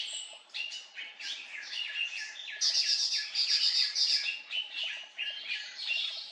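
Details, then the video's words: In the hill country around Reiek, Mizoram, a Siberian blue robin gives rapid, repeated downward-sliding chirps, roughly four per second. A louder, higher burst comes midway, then the notes carry on steadily. "Siberian blue robin"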